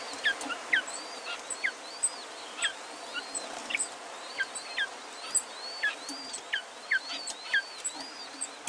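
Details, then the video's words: Cinnamon-mutation king quail chicks, four newly hatched with their parent pair, give thin, high peeps, each a short arched chirp, repeated in quick irregular bursts over a soft background hiss. "Cinnamon King Quail with baby quail"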